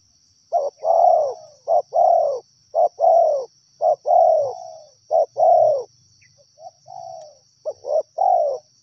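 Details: Wild spotted dove giving repeated soft, low cooing phrases, each a short coo followed by a longer descending note, in bursts about once a second with brief pauses; a steady high electronic whine runs throughout.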